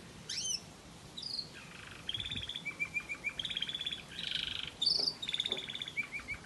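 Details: Variegated red factor canary performing a waterslager melody: opening upswept whistles, then a continuous string of rapid rolled trills changing pitch every second or so, with bubbling, water-like tours and a few piercing high notes.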